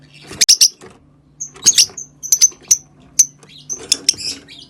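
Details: Rosy-faced lovebird chirping, sound played to stimulate mating: sharp, shrill high chips in short clusters, some doubled or tripled, separated by brief pauses, with a faint low hum underneath.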